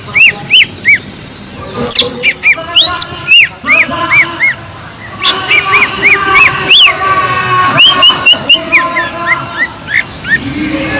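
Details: Singing green leafbird meant to stir other leafbirds into aggression and breeding condition: clear whistled notes, mostly rising or looping, delivered in quick irregular phrases, about three notes a second, with a faint hum beneath.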